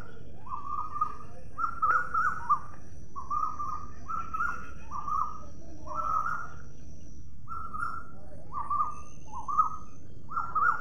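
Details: Parrot calling: clear, slightly quavering whistled notes, each under a second, repeated about every second in an even series against soft background noise.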